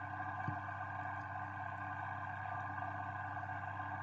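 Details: A steady mechanical hum, like a running engine, continues throughout with one brief click and no animal voice.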